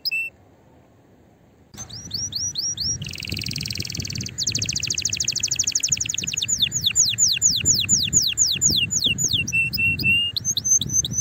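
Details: Strong canary singing used to excite females and spur other canaries into song: after a brief silence, chirps lead into a dense buzzy roll, then a rapid rattle and a series of falling whistled notes over low background rumble.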